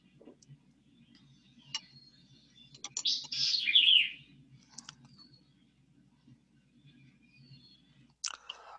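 A White-eyed Vireo gives a quick, emphatic burst of sharp, slurred notes, with scattered chips before and a snappy note after, over a steady low hum.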